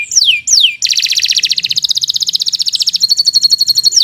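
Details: Kenari canary in long master song: two steep falling whistles, then a fast rattling trill at about three notes a second per beat, shifting into a thin steady high trill.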